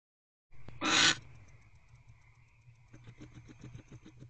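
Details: Barn owl in a nest box on the night of 25 December 2023 at 9:45 pm, waiting for its mate to return. It gives one loud, harsh, hissing screech lasting about half a second, followed by soft faint clicking and ticking.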